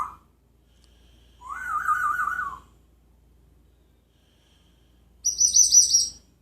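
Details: Singing parrot kept in Jeddah, known for talking and mimicking sounds. Short warbling whistles come in separate bursts: a wavering mid-pitched phrase, a long silence, then a much higher, rapidly quavering trill, with near silence between phrases.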